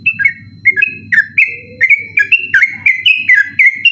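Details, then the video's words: Sooty-headed bulbul singing insistently at night, a recording meant for teaching other songbirds; rapid, bright whistled phrases of two-note swoops repeated steadily, with a soft low hum in the background. "burung trucukan ropel ngotot dimalam hari"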